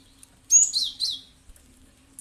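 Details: Cinereous tit (gelatik batu) call meant to lure other birds into calling back: one loud burst of three quick, high, slightly buzzy chirps, followed by near silence.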